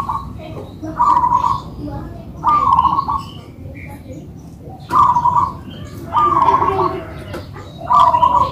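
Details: A pair of local-type zebra doves singing a manggung duet. Vibrating, rolling coo notes arrive in bursts roughly every one to two seconds, with a low hum underneath.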